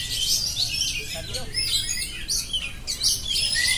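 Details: Oriental magpie-robin singing continuously in ngerol fashion: shrill, tightly packed high phrases with bursts of louder chatter and short downward whistles.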